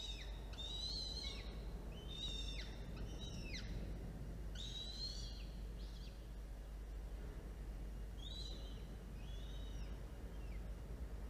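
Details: Falcons at a nest with two chicks hatched in early October, during a feeding on 13 October 2022 at 1:54 p.m.; clusters of harsh, ringing whistled notes with down-curving ends, busy at first, then sparser, over constant low background hum.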